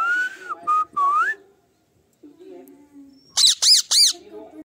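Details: Pet parrot whistling a few wavering, slurred notes over a low background hum, a pause, then a quick run of three loud, harsh, arched squawks.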